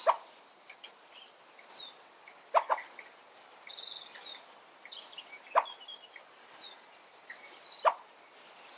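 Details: Crested coua, a cuckoo rarely heard calling, making a barking sound for the first time, apparently upset about something: four short, sharp, dry barks at irregular gaps of two to three seconds, with faint chirps of other birds behind.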